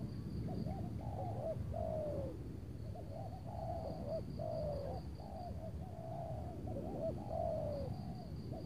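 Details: Spotted doves cooing near Tangerang on an overcast afternoon while a decoy lures a big-voiced wild bird; uneven run of low coos, several drawn out and falling, partly masked by heavy low rumble, with a steady high insect tone.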